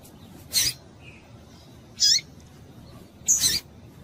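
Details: A female double-collared seedeater, calling to stimulate males, gives three thin, high chips about one and a half seconds apart, the last slightly doubled, over faint hiss.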